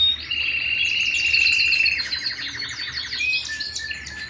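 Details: Singing canary indoors: a long, clear, level whistle gives way to a fast buzzy rattle of repeated notes, then scattered high chirps and a short lower whistle.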